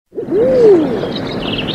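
A common eider gives a single soft, hooting coo that swoops up and slides back down, lasting under a second. Faint higher calls of other birds sound in the background.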